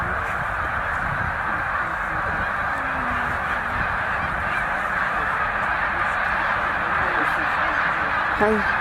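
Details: Snow geese massed by the hundred thousand at Middle Creek wildlife refuge while migrating toward tundra breeding grounds, giving a thick wall of honks with a distinct nearby yelping call at the end.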